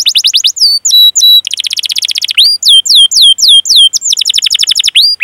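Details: Canary in full long song, rolling 'cuit cuit' phrases used as a lure for young, untrained or silent canaries: fast trills alternate with rising whistled notes and a buzzy rolling passage.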